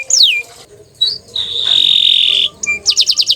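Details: Green canary song with varied phrases: a falling whistled slur, a short rising note, a long sustained steady whistle held for over a second, then quick repeated chipping notes.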